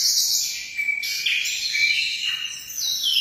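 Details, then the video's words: Munia, known locally as emprit, singing a steady stream of high, thin chirps and twittering trills with short rising and falling slurs, continuous throughout with no other clear sounds. "suara burung emprit"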